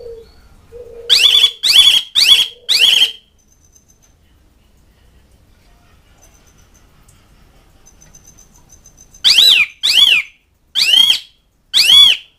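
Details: Asian pied starling calling to mates and rivals: a burst of four loud, harsh, buzzy notes, a long quiet gap, then four more sharp rasping calls near the end.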